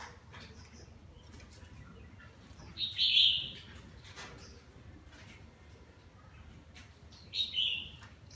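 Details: Red-whiskered bulbul with partial cheek patch and lân-type crest, singing while bathing; two short whistled phrases about four seconds apart, bright and slightly slurred, over a faint low background hum.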